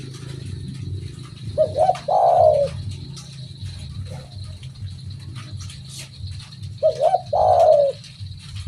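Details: Spotted dove in full vigorous song: two low cooing phrases about five seconds apart, each a quick stuttered pair of notes followed by a longer, falling, throaty coo, over a steady low rumbling hum.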